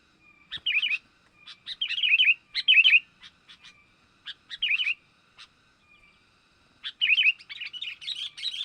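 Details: Sooty-headed bulbul (kutilang) lure recording of a young bird, used to attract wild bulbuls: scattered groups of bubbly, slurred chirping phrases with pauses, ending in a denser, busier twittering burst. No other clear sounds.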